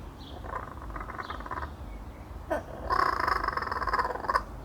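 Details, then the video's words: Laughing kookaburra cackling: a run of rapid harsh pulses, then a louder burst of fast rattling notes, with faint high chirps of another bird over a low background rumble. "Kuukabarra kõkutab"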